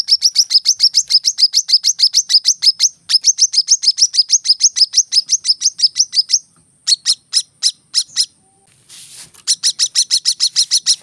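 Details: Brown-throated sunbird in the rapid 'tembakan rapat' masteran style: fast, high, sharp chip notes repeated in quick runs of about three per second, broken by a short pause and a burst of higher spaced notes before the rapid series resumes.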